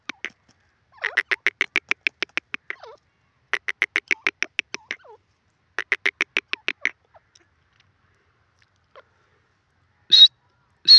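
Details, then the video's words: Caged francolin from Khairpur calling: bursts of rapid, evenly spaced harsh clicking notes, about a dozen per burst, repeated three times, followed by two short high squeaky notes. "teetar k pinjrai r sound khairpur teetar ki awaz"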